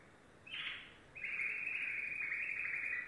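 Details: A yellow domestic canary gives a short high burst, then a long, fast, buzzy trill that holds steady for almost two seconds with a slight drop in pitch.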